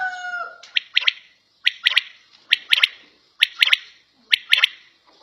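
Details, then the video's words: Home-kept quail (battair) giving crisp triple-noted calls, a lone note then a tight pair, repeated about once a second. A brief tonal whistle with stacked overtones opens the recording. "Battair Sound In Home"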